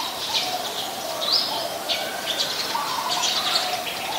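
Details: Eurasian tree sparrow calling in Ubon Ratchathani, Thailand, on 10 May 2020: a string of high twittering chirps and one sharp upslurred note, with quieter low tones behind and constant ambient hiss.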